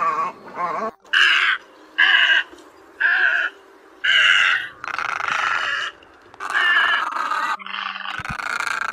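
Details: Great egret lure recording for night netting of migrating birds, August 2024, Vietnam: a series of coarse, raspy squawks, at first short and spaced about a second apart, then longer and merging into a continuous grating chatter.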